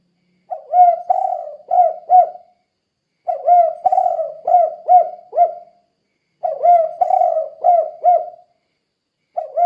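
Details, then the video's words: Vigorous spotted dove cooing in the 'kuk 2' pattern, meant to provoke answering doves; three phrases of four or five deep, rounded coos, each phrase lasting about two seconds with short gaps. "Suara Burung Tekukur Gacor Kuk 2 Untuk Pancingan Derkuku Dijamin Nyaut"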